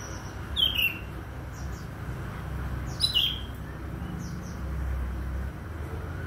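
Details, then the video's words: Two clear bursts of falling whistles with thin high chirps, sung by an Oriental magpie-robin in the morning and spaced a few seconds apart, over a persistent low rumble. "KICAU KACER DI PAGI HARI"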